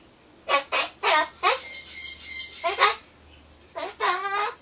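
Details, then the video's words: Pet Solomons corella talking to itself while waiting for pumpkin, apparently in a 'bye-bye, I'm off, see you' mood; a run of hoarse, harmonic, speech-like syllables, some drawn out, with short pauses between bursts. "ソロモンオウムたろちゃん カボチャを待ってる間のひとり言"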